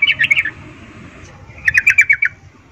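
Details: Female sooty-headed bulbul calling males in breeding mood, 'ngecuplik' style: a short run of four or five bright chips, a pause of a second, then about seven more rapid descending chips.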